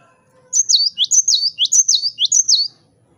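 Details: Cinereous tit, locally gelatik batu, singing energetically to provoke rivals: about five clear double whistles, high then lower, repeated briskly for two seconds, clean and uncluttered.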